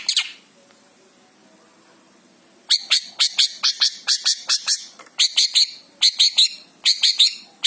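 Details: Javan long-tailed shrike (cendet) singing in the 'full isian' style. After nearly three seconds of quiet, harsh, sharp high notes come in quick clustered bursts of three to five, separated by brief gaps.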